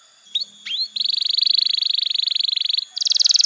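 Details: Canary master song for young canaries: two short rising whistles, then a long rapid even trill, switching to a higher rolling trill at the end.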